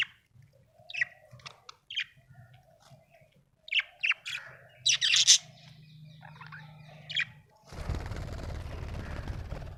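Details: Happy budgerigar chirping: short sharp chirps and a loud buzzy burst, then a single chirp before a loud rushing noise takes over the final seconds.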